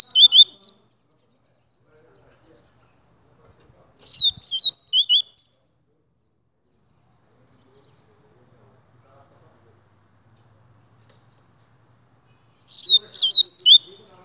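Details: Double-collared seedeater singing short bursts of high, quick slurred and twittering notes, each phrase about a second long, repeated with long silent pauses between.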